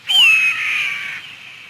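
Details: Eagle's sharp, resonant scream, described as used to communicate and mark territory: one hoarse, high cry that drops slightly in pitch and fades out over about a second.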